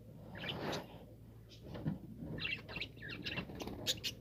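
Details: Budgerigars (Melopsittacus undulatus), recorded 5 October 2023, warble in bursts of rapid, scratchy chirps and squeaky notes.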